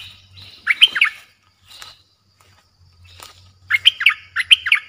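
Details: Streak-eared bulbul, fierce lure song meant for wild birds: one short bubbly warble, a gap with faint scratchy notes, then two more rollicking phrases close together, over a faint low hum.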